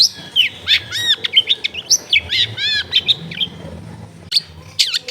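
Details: Long-tailed shrike singing at a home in a densely populated neighbourhood, used to get a lazy shrike singing: varied looping whistled notes and chattering chips in quick sequence, with a pause before final sharp whistles.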